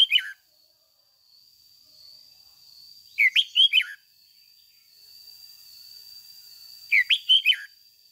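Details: Red-whiskered bulbul decoy in spirited 'ché' song for training caged birds, giving three short phrases of four clear, rising-falling whistled notes roughly every four seconds over a constant thin high-pitched hum.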